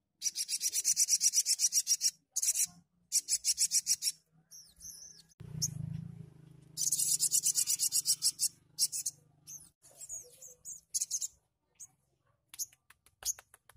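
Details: Sogon giving a lively tembakan song, used to spur untrained birds to sing: fast, high, buzzy trills of evenly repeated notes in bursts of several seconds, broken by thin twittered chirps, with a low hum partway through.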